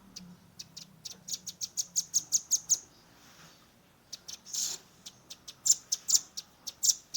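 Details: Young velvet-fronted nuthatch, 'tembakan' shooting song recorded on a phone: a fast crescendo of ringing high chips, a pause, a breathy rush, then more emphatic single chips.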